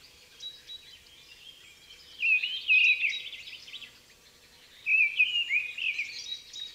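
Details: A Mistle Thrush singing strongly in winter woodland gives two short, fluting, wistful blackbird-like phrases, each about a second long, separated by a pause, over a soft steady background hiss.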